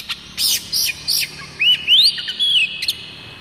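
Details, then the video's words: Oriental magpie-robin of the village type, a tutor song for caged magpie-robins. Several rasping chips lead into clean rising whistles, then a falling slur, all loud and close. "Banyak kacer LANGSUNG BUNYI dengan suara khas kacer ini MASTERAN KUCICA KAMPUNG"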